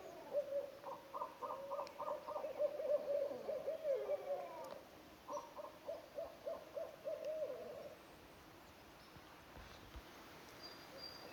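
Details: A barred owl from a nesting family in spring forest on Vancouver Island gives two bursts of rapid, throaty hoots, about three a second. The first burst is longer and louder, then comes a quiet pause.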